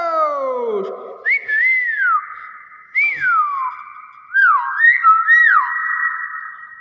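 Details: A common hill myna (Gracula religiosa intermedia) gives loud, clear whistles: a low falling slur, then several rising-and-falling notes about a second apart, against a faint indoor hum.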